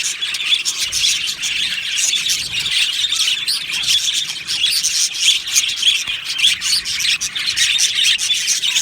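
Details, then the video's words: Steady aviary chatter from a budgie colony, many birds tweeting and warbling together in a dense high wash, with louder chirps bursting out now and then. "Beautiful Budgie aviary chirping sounds"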